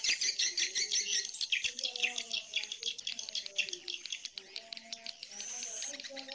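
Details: Swiftlet lure mix of colony calling and mating sounds: rapid sharp high chirps, close to two per second, form a shimmering twitter over a man's quiet speech in the background.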